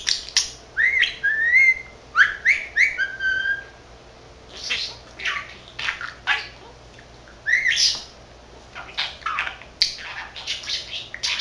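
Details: A 13-month-old male pet budgerigar that mimics Korean and Japanese words chatters away to himself: rapid bursts of scratchy, speech-like syllables mixed with bright rising whistles, broken by short pauses, indoors.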